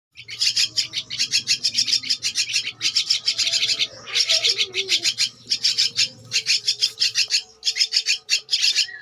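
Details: Two-week-old Javan myna chick giving harsh, raspy begging calls in rapid bursts of buzzy notes, bursts separated by short pauses, with a faint low hum underneath.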